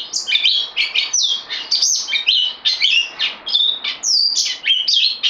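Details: Kept bulbul, a newcomer on loan, recorded 12 September 2020: rapid chattering song of bright, high notes jumping up and down, tumbling phrases with brief gaps, no other sounds.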